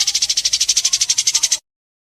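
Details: White-rumped shama competing before judges in Indonesia, sharp 'besetan' song: an even run of quick, high, buzzy pulses about ten per second, stopping abruptly after one and a half seconds, then silence.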